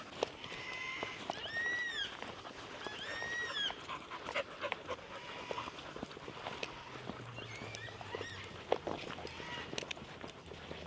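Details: Several black cockatoos in trees along the Marramarra Creek bush trail, NSW, some flying across, give drawn-out, wailing calls that rise and fall, several in the first few seconds and more later, over footsteps and a dog's panting.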